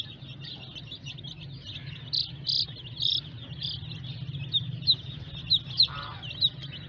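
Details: Baby chicks just out of the egg give rapid, thin high peeps, broken by a few louder, fuller cheeps and short sharp notes, over a low background hum.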